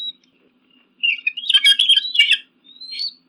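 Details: Eagle calls meant to frighten crows and pigeons: a brief whistle, then about a second and a half of dense, high chattering, ending in a rising thin whistle.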